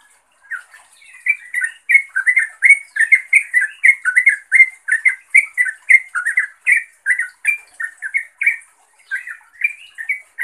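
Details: Calling to a rival or companion, a sooty-headed bulbul gives an almost unbroken stream of quick, bright, chirping notes, each with a slight upward then downward twist, running for about ten seconds.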